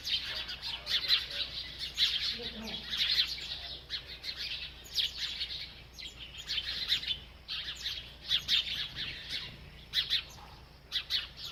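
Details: A bird chirps steadily while eating: rapid, high, slightly scratchy tweets come in repeated bursts, fading to sparser single notes toward the end.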